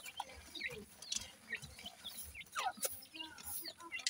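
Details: Francolin chicks, with their mother, give thin, high peeps and short upslurred chirps in quick, uneven bursts while feeding, with clicks and scratchy noise behind.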